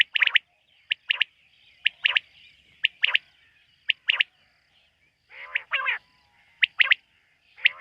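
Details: Night-time quail calls, recorded in a quail-hunting context: repeated sharp note-and-pair phrases roughly every second, interrupted midway by two harsher, grating, burry calls before the crisp pattern resumes.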